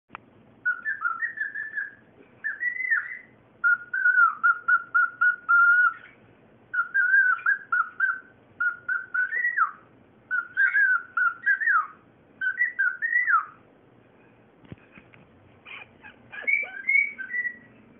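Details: Cockatiel, a male, whistling into a small bowl and enjoying its echo: a string of clear, warbling phrases with rising and falling notes.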